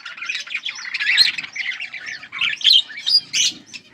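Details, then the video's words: Pet budgerigar pair in lively chatter, mixing rasping warbles with thin, whistled squeaks and a few emphatic chirps toward the end. "My Beautiful Australian parrots pair 💛💙Budgies full masti"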